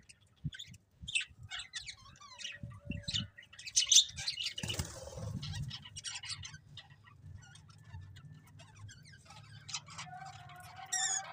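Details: Budgerigars giving scattered soft chirps and short twittering bursts, with wing fluttering and a low background hum, busier and louder chatter near the end.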